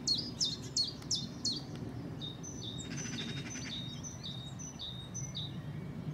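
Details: A Common chiffchaff sings at Saltersford Locks, Cheshire, on 31 March 2014: quick, high, downslurred notes, about three a second, then thinner high whistles from other birds over a low rumble.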